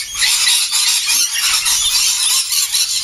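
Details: Noisy morning flock of lorikeets gathered around an outdoor breakfast; an unbroken wall of high, harsh shrieks and chattering squeals from many birds at once, steady in volume throughout.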